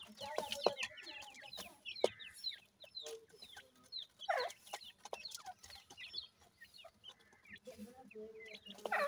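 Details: Dakhni teetar chicks, a francolin, utter irregular high downslurred peeps in clusters, with sharp clicks and taps between them.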